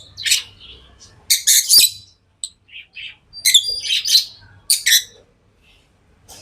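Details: Tame lovebirds giving quick high chirps and squeaky notes in uneven bursts, some doubled, with brief pauses and a faint low hum behind.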